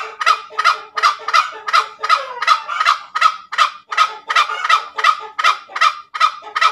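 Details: Ngekek calling by a very tame junglefowl: rapid, regular run of loud grating cackles, each a short rasping burst, about two and a half per second, with no other sounds.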